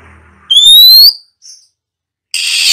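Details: Female Oriental magpie-robin used to stimulate other birds to sing, giving hissing and shrill notes: one clear, rising, high whistle lasting about half a second, a brief faint note, then a loud harsh hissing rasp at the end.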